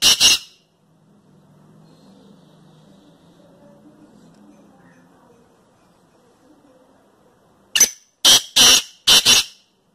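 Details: Pet black francolin (kala teetar) in lively spirits, described as having a clear, sweet voice, gives one loud, harsh, grating note, then after a quiet pause a quick run of four more rasping notes.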